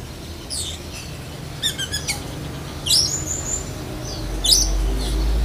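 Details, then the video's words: Black-breasted Oriental magpie-robin singing mimicry of other birds, including lovebird: a high squeak, a short burst of clicking ticks, then two harsh rising squawks, fairly soft against a low rumble. "Kacer DAHIT besetan kapas tembak sambung lovebird"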